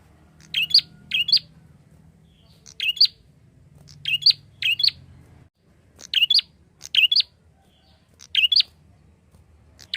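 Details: Lively prinia calling as a lure for other birds: quick pairs of bright, high, squeaky chirps, repeated roughly every one to two seconds, with a soft low rumble behind them.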